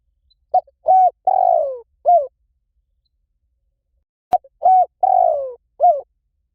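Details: Spotted dove call used to lure wild doves: a short phrase of mellow coos with a longer falling middle note, sung twice with a silent pause and a sharp click between.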